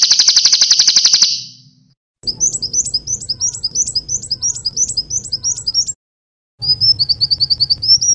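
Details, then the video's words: Sunbird ('kolibri konin Eropa') song used as a training recording for cage birds: a loud, high, steady buzz, then rapid repeated high trilled chirps in quick phrases and a high twittering run, over a low background hum. "MASTERAN PALING VIRAL - KOLIBRI KONIN EROPA TERBAIK"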